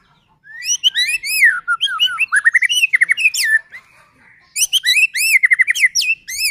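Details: White-rumped shama singing as a lure for other shamas: dense, rapid bursts of high chirps over rising and falling whistles, in two long phrases.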